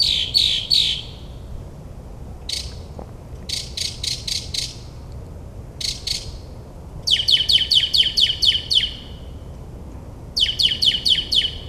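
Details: Night-singing northern mockingbird in the suburbs of New Jersey, mimicking other birds: a run of varied phrases, each a quick stuttering series of high notes repeated several times before switching to a new pattern.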